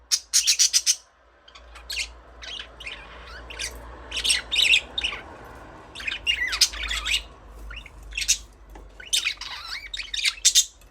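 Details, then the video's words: Budgies chirping busily: dense run of short, high squawky chirps and warbles, rapid and irregular, with brief quiet pauses between bursts. "Budgies parrot chirping sound"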